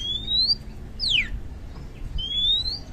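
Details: Oriental magpie-robin song meant to provoke silent magpie-robins into singing: pure whistles gliding upward, a quick steeply falling sweep between them, then another rising whistle.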